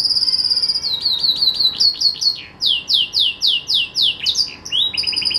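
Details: Melodious song of a pet green canary at Jaesan: a brief rising whistle, then a long run of loud down-slurred notes about three per second, closing with a quick trill.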